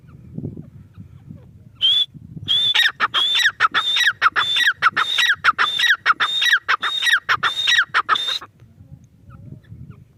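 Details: Grey francolin, known as teetar: an opening whistle, then a long series of loud rhythmic phrases, each a high whistled note and descending grating notes, steady for about six seconds, ending into quiet rumble.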